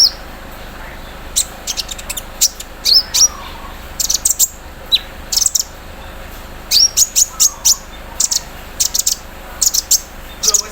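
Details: A caged sunbird in the morning dew sings a long, varied sequence of high sharp ticks, chirps and quick clusters, imitating the clatter of an embroidery machine.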